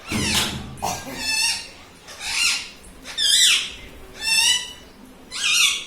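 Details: Pet rose-ringed parakeet talking, a bird that says "mummy": about six raspy, harmonic word-like bursts, one roughly every second, with sweeping rising and falling tones and short quiet gaps between.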